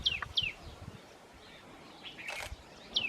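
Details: Tailorbird calling in the Himalayan foothills at Rishikesh: sharp, high, falling notes, two in quick succession and a third near the end, with a brief rustle or flutter between.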